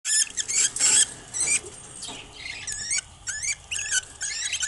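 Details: Budgerigar chicks from a single clutch, kept as pets, giving high, squeaky, wavering chirps in quick bursts with short pauses, several calls overlapping at times, indoors with little other sound.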